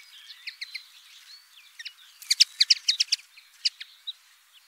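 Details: Quieter common linnet song, with soft scattered twitters that build into a louder, rapid burst of sharp chirps and then fade.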